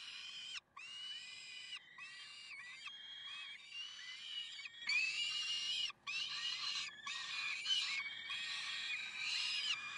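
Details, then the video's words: Peregrine falcons calling in Karlsruhe, 30 May 2010: a long, nearly continuous series of strident, rasping wails and chattering bursts, rising in loudness about halfway through and repeated several times a second. "Slechtvalken Karlsruhe"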